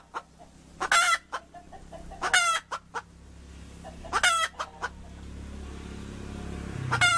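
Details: Repeated hen cackle, each round built from clipped clucks leading into a harsh, nasal drawn-out note. There are four loud squawks over seven seconds, with a faint low hum behind them.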